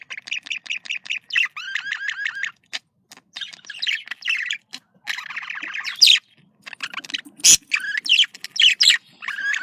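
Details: Budgerigar song for encouraging breeding in pet birds: rapid series of repeated chirps, then twittering warbles, buzzy chatter and occasional sharp clicks.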